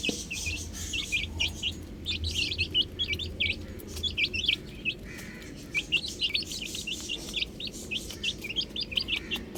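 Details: Baby chickens playing on a roof: dense, steady chirping of many piping, down-slurred notes, sometimes thinning briefly before rising again, over a faint low hum.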